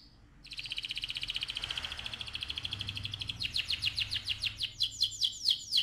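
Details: Canary breeding song to excite the male and prepare the female: a long, even, rapid buzzy trill, shifting into faster loud sweeping notes that repeat with growing volume, over light background hiss.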